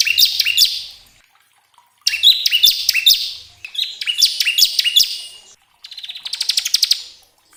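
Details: Bar-winged prinia song for prompting caged birds to sing fast: three rapid clusters of high, piercing chirps separated by short gaps, ending in a dry, buzzy rattling trill.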